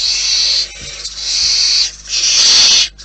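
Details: Three drawn-out, breathy screeching hisses follow one another almost without pause, from barn owls at their nest in the wild.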